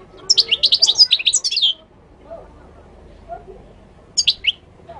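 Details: Moroccan goldfinch song: a rapid run of high, tinkling twitters lasting about a second and a half, then a pause and a short second burst of chirps, faint murmur behind.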